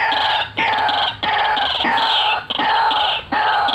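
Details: Loud, strained, harmonic croaks from an actively calling white-breasted waterhen, each lasting about half a second to a second, repeated with brief pauses between them.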